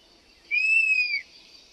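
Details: European honey buzzard (Pernis apivorus), call.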